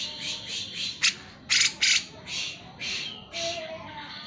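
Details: Energetic cucak jenggot song used as a lure for lazy birds: repeated husky, buzzy notes, several louder harsh bursts in the middle, and a faint whistle near the end.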